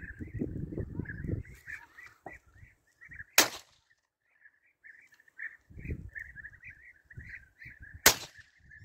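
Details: A flock of European bee-eaters (Merops apiaster) during a hunt keeps up a steady rolling, liquid chatter of mid-pitched trills. Two sharp gunshot-like cracks and some low handling thumps break in.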